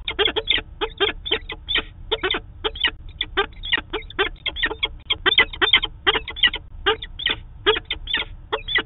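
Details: During their daily nest-site meeting in Manchester, NH, 2 September 2018, a Peregrine falcon pair gives steady grating calls on a live webcam, notes in quick pairs and runs throughout.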